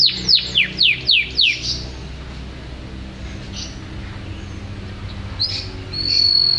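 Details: Canary giving five loud descending whistled sweeps in quick succession, a pause with low background hum, then a short rising note and a level whistle.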